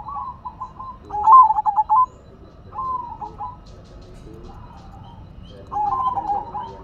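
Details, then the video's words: Silver zebra dove singing actively: a soft coo, then a loud burst of fast staccato notes, quieter wavering coos and a fresh phrase starting at the end, over faint low background noise. "Perkutut Silver Gacor Suara Asyik Unik dan Antik"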